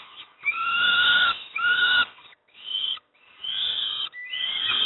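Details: Young peregrine falcons at Moszna near Pruszków, Poland, being fed breakfast, give harsh, raspy, drawn-out wailing screams in several long bursts, with short quiet gaps between them.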